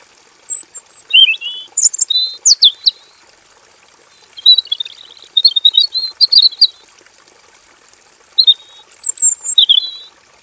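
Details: Male robin in a simple aviary, singing its long full song. Bursts of loud, varied whistled and chattering notes come in three groups separated by short pauses, over a steady high-pitched background whine.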